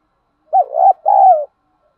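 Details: One complete spotted dove phrase from a lure recording of male and female birds meant to spur trainee birds into calling: a short undulating coo-coo and then a sustained, slightly falling rolled croo, with no background noise.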